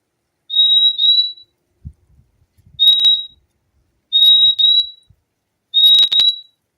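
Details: Fim-fim, the purple-throated euphonia, singing a series of four high, thin whistled double notes spaced about one to two seconds apart, each pair slightly slurred together, with faint low thumps between phrases.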